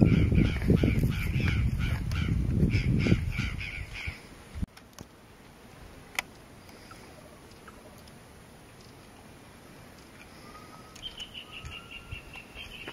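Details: A Crested oropendola (Psarocolius d. decumanus) at Pouso Alegre, Pantanal, Brazil, on 22 September 2013 gives rapid harsh, crow-like caws over deep rumbling for four seconds. Then comes a short falling series of higher notes. A Yellow-billed cardinal is also present.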